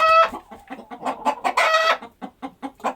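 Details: Several chickens on a countryside farm go about daily activities. A bright squawk opens, then quick soft clucks follow, with a loud rasping cackle midway before the evenly spaced clucks resume.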